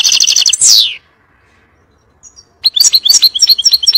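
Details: European goldfinch in 'nar' (fiery) song used to tutor young birds: a buzzy trill slides into a sharp descending whistle, then after silence a lively series of high, liquid twittering notes repeated rapidly.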